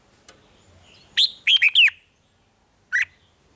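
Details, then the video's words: Caged red-whiskered bulbul in Thailand singing in the rik style: a brisk phrase of three or four bright, whistled notes, preceded by a single short note and followed about a second later by one more clear, rising note. "เสียงนกกรงหัวจุก ร้อง ริก เปิดให้นกฟัง ยั่วให้นกคึกจัด"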